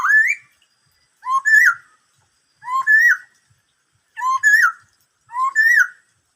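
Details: Black-throated laughingthrush song of the "bắt cô trói cột" type: five ringing whistled phrases, a short low note then a higher wavering slur, spaced roughly every 1.3 seconds against silence.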